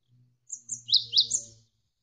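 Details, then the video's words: Javan sparrow, a tutor recording with a background of flowing water: a short phrase of a few bright, high chirps and down-slurred notes lasting about a second, with faint low water sound. "MASTERAN GELATIK WINGKO Gacor Berjeda 1-3 Menit"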